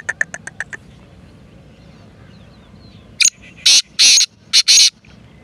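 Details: Black francolin calling: a short run of quick faint clicks, a pause, then five loud, harsh, grating notes in an uneven burst, the longer notes rasping, over a quiet low background hiss.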